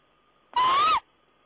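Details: Owl calling, recorded 14 April 2010: one clear whistled note of about half a second, rising gently and then dropping at the end, against a quiet background with a faint steady hum.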